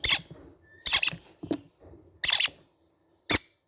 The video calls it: sound of baby green cheek conure parrot birds